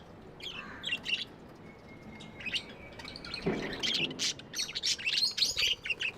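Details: Pet budgerigars chattering softly at first, then louder: a thin sustained whistle, then busy clusters of sharp chirps and squeaks.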